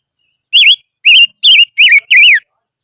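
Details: Decoy silver-eared mesia singing in the highlands, a phrase of five loud, clear, wavy whistles, each swooping up and down, delivered evenly about every third of a second with no other sounds.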